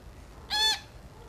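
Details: Four-day-old grey parrot chick being hand-fed gives a single short, harsh, harmonic squawk with a faint hum behind it.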